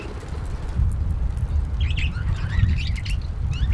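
Budgerigars give quick, warbling chirps and chatter over a steady low rumble.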